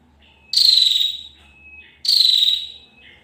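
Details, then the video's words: Female bar-winged prinia: two short, harsh, rapidly pulsed trills, each under a second, high-pitched and slightly descending. Each burst is linked to a thin, steady whistled tone below it. A faint low hum runs underneath. "suara burung prenjak betina"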